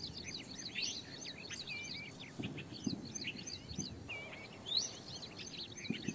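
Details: Evening birdsong with several birds chirping and singing together: dense bright twittering, quick whistled slurs and short trills overlapping throughout, with soft low rustling thumps in the background.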